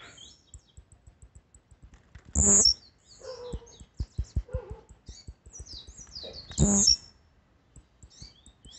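A blue-black grassquit gives its short, explosive, buzzy two-part song about every four seconds, over steady soft ticking and a few faint chirps.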